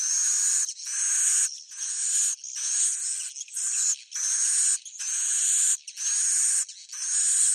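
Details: Bhayangkari-style swiftlet roosting sound: a steady series of harsh, hissing buzzes, each roughly 0.7 seconds, separated by brief pauses, with faint rising whistles within.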